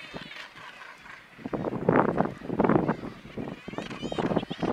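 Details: Black-legged kittiwakes with chicks on a narrow cliff ledge on Helgoland, giving harsh, nasal bursts of calling that rise and fall in overlapping waves, with a brief lull early on.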